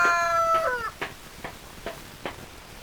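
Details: Chicken sounds: the falling tail of a rooster's crow, then short, sharp hen clucks repeated about every half second, with a quiet background.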